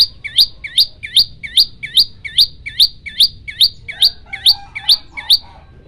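Olive-backed tailorbird giving a rapid run of sharp, high, whip-like notes, about two each second, steady and ringing; a faint low hum underneath.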